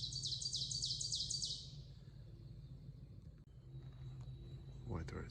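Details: The first Ovenbird of spring, just arrived on migration near Hillsborough, North Carolina, sings about six loud, ringing phrases rapidly in a row, then stops. A low background hum and a brief voice follow.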